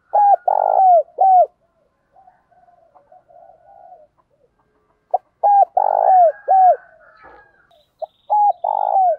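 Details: Spotted dove repeats its deep cooing phrase several times, with short clipped coos around a longer rolling note. Soft low murmurs fill the gaps between phrases.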